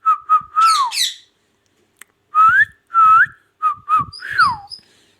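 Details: Talking ring-necked parakeet, a pet from Pakistan, delivering mimicked whistled phrases: short flat notes, upward-sliding whistles and a falling warbled note, mixed with a few brief squawks, in a small quiet room.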